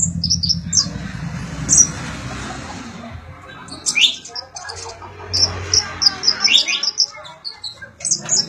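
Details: Sunbird (konin or kolibri ninja) song used to train magpie-robins: sharp, very high ticking notes in quick strings, with brief pauses between bursts and a low rumble underneath.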